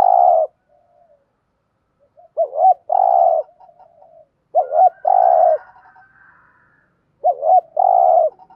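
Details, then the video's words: Urging coo from a caged spotted dove kept as a decoy to attract wild doves. Three phrases of a short warbled double note and then a sustained rough coo, with soft murmuring in the gaps. "tieng chim cu gáy thúc gù"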